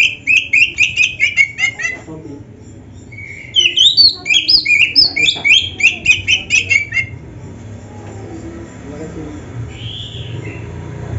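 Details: Oriental magpie-robin in full gacor song with isian filler, played to train kept birds: two bouts of rapid repeated chirps, the second with twisting whistled notes, followed by a quiet spell with a faint call.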